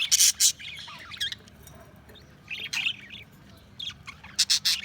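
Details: Budgerigars chirp: loud sharp double notes open and close the passage, with softer warbling chatter in between and quiet moments with only a low background hum.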